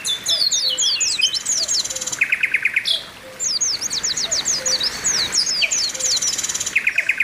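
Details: Group of Oriental white-eyes calling as song therapy; bursts of high slurred chirps broken by short mid-pitched rattles, with faint low whistles repeating underneath.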